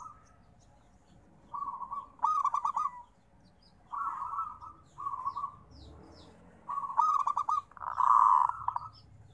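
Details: Local zebra dove, known as perkutut, delivers trilled coo phrases in clusters, a crisp stuttered burst followed by smoother rolling notes, the last phrase loudest and fullest, with faint low rumble underneath.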